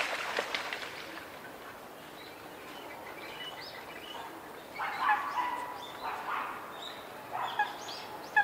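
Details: Grey heron chicks begging at a mixed nesting colony in an urban park in Koto Ward, Tokyo, on 20 March 2022. Harsh, broadband chattering bursts come in clusters, loudest around the middle and end, over steady city background hum.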